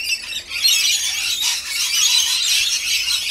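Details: Several rainbow lorikeets squawking as they are fed, a steady wash of shrill, rasping screeches that swells after the first half second and stays loud throughout.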